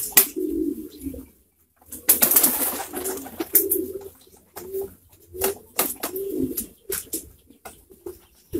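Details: Pouter pigeons kept in a flock coo in short, low, throaty bursts. Sharp clicks and a rush of wing noise come between the coos.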